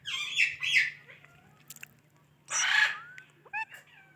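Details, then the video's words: Ringneck parrot at home producing two loud raspy squawked syllables, a pause, then a longer harsh burst and a few thin whistled notes, with faint background hum. "Ringneck Talking Parrot"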